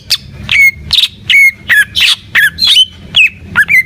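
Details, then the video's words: Greater green leafbird (cucak ijo) in full gacor singing: loud separate notes roughly every third of a second, each a sharp chirp sliding into a clear whistle, over a low background rumble. "Suara Burung Cucak IJO FULL Gacor"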